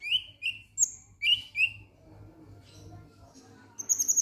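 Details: Lovebird calling in the 'ngek ngek' style used to prompt singing: four loud squeaky chirps, each bending upward, with one higher whistle among them, then a quieter pause and a closing run of fast, very high trilled notes.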